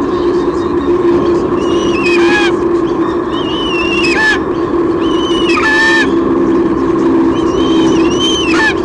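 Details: Nest-camera recording from Sydney Olympic Park, Australia, 23 June 2016: the female White-bellied sea eagle greets the male's fish delivery with a series of five or six high, wavering squeals that bend downward, against a steady background drone.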